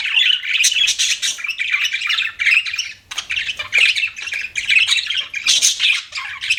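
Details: Budgerigars, kept as pets, chirping in a busy, continuous chatter of high scratchy warbles and squawky notes, with a brief pause near the middle before the chatter resumes.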